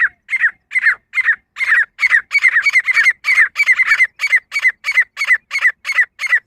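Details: Harsh, squeaky paired notes from a female grey francolin (kamuju teetar), a voice offered for pheasant hunting, come in a fast unbroken series of roughly three per second, evenly loud throughout, with a quiet background.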